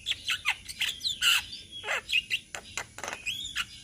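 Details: Javan myna flock in Indonesia singing together for songbird training: mixed harsh grating calls and clear whistled notes, some rising and some dropping steeply, in uneven bursts.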